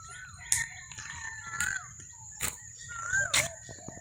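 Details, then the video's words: Birds chirping in jungle at sunrise; thin whistled notes that slide and curve, several in a few seconds, with sharp clicks and a steady high insect-like whine in the background. "CHIRPING SOUND OF THE BIRDS WAKE ME UP."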